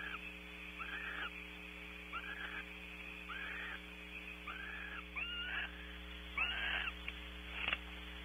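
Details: Barn owls mating at a nest site at Audubon Starr Ranch, California; the male leaves at 21:06. Faint, short rasping calls repeat roughly every second, ending in a louder burst and a click. A constant electrical hum runs throughout.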